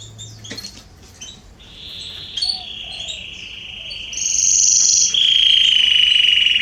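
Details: Canaries in a garden, September 2020, begin with scattered chips, then build into a long, lower rolling trill and a bright, piercing high tour that grows louder toward the end.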